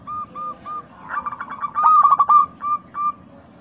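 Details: Zebra dove of the local type, used as a singing lure for pet doves. Soft separate coos build into a quick, loud stuttering trill of coo notes, then ease back to a few spaced single coos.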